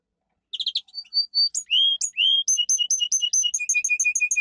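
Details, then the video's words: A domestic canary gives a strong training song: a quick burst of notes, short high whistles, two rising swoops, then fast alternating high and low chips repeated about twice a second. "Canary singing - 2 Canary 's most powerful song for training"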